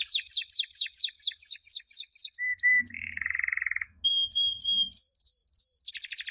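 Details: Canary singing a champion training song for young chicks: rapid series of falling notes, short flat whistles, a buzzy low trill, then long pure whistled tones and a closing rattle.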